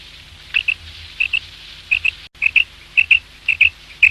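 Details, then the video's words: Male quail (batair) call used for hunting: crisp paired high notes, the two-note phrase repeated steadily about every half second over a faint hum. "quail sounds mp3/ batair ki Awaz 2023 | Bater ki Awaaz"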